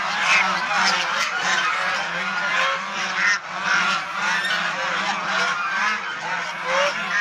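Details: Domestic swan goose, known too as Chinese swan goose, kept as a pet and shown playing, bathing and fighting; a dense, loud chorus of overlapping nasal honks continues without pause, harsh and raucous throughout.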